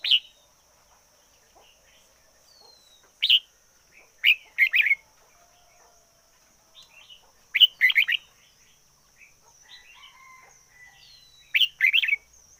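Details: Red-whiskered bulbul used as a decoy bird, singing intensely: short clusters of loud, chirpy whistled notes roughly every three to four seconds, with quieter twitters in the gaps and a thin steady background tone.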